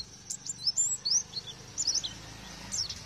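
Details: Faint, high Oriental white-eye twittering, used as a lure to make lovebirds sing. Scattered thin chirps and slurred notes sit over a steady low background noise.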